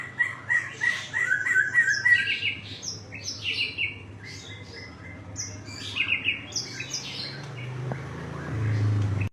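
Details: White-rumped shama on a bright morning, delivering quick repeated chirping notes and short whistled phrases in a fast, uneven series, with a low background rumble growing toward the end.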